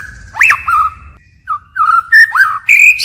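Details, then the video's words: White-rumped shama song in a forest style with continual voice changes: loud whistled notes, a rising sweep and short downslurred phrases separated by pauses, ending in higher sustained whistles. "Chích chòe lửa hót giọng rừng hay đảo giọng liên tục"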